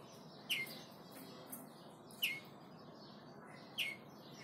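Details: Hand-reared young European greenfinch, hatched in July 2017 and described as trained, gives three short, sharp, downslurred chirps spaced about one and a half seconds apart over a steady background hiss.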